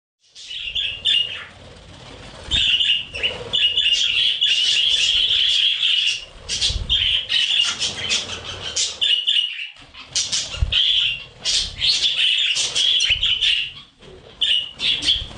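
Budgerigars chatter in a busy stream of high, scratchy warbles and chirps.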